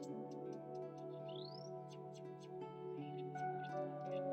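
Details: Soft ambient music with sustained tones, steady ticking and a rising synth sweep; no animal voice is heard.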